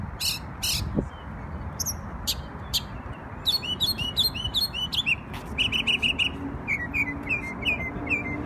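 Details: Bird song recorded in New York on Memorial Day, with loud harsh bursts, quick chattering phrases, then a string of short repeated whistled notes and soft slurred chirps; quiet background.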